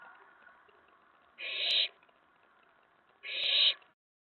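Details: Owlet inside a nest box at night, May 19 2017, getting excited after a mouse delivery when another owl or owlet lands on the tray; two harsh, raspy hissing bursts about half a second long, spaced nearly two seconds apart.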